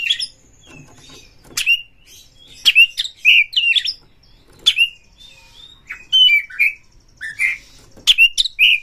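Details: Singing Oriental magpie-robin, used to spur other birds into song: loud, sharp whistled notes, some rising and some dropping, in short clusters separated by quiet gaps.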